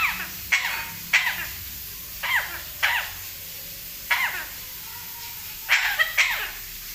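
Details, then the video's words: Pet parrot imitating a person's coughing: short harsh bursts repeated irregularly about every second, each a rough noisy cough-like sound, in a quiet indoor setting with a low steady hum. "khansi ki nakali"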